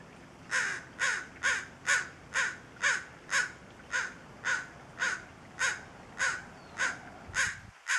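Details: An American crow perched atop a bare tree beside a trickling creek, Tijeras Creek, O'Neill Park, on 1 June 2013, gives a long series of harsh, hoarse caws, about two per second, steady and evenly spaced, with faint background hiss.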